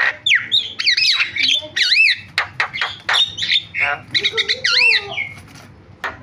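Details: Javan myna in varied filler-style song: loud rising-and-falling whistled loops and wavy slurred notes mixed with sharp clicks and harsh squawky bursts, delivered in a busy, continuous flow.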